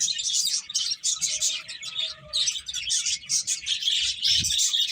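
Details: Finches eating give a steady stream of high, rapid chirps and twitters, several birds overlapping at a busy, uneven pace.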